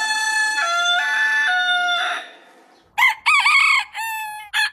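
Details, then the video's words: Rooster crowing, one of many heritage-breed roosters in a compilation: a long harmonic crow held for about two seconds, then a pause and a second rooster's short, choppy, rising and falling crow phrases. "Chicken Crowing"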